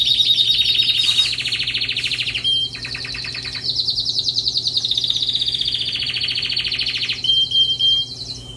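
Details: Canary song in several phrases separated by brief pauses: buzzy rolling trills, a fast chattering stretch and short pure whistled notes, all high-pitched.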